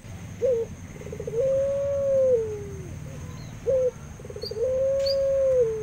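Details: Barbary dove in an aviary, cooing low and mellow: a short clipped note followed by a long, drawn-out, steady coo that falls away at the end, the pattern given twice, with faint background hum.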